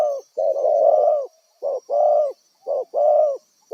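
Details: Wild spotted dove used as a decoy for trapping, giving repeated coarse coos, a short note then a longer one, roughly once a second, close by with a faint high hum behind.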